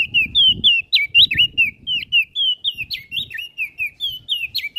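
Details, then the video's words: Energetic olive-backed tailorbird song meant for training other songbirds: loud, high whistled notes with quick downward hooks, delivered in a rapid, slightly uneven chain; soft low thumps underneath. "Burung Prenjak Daun Gacor Isian Pas Buat Masteran"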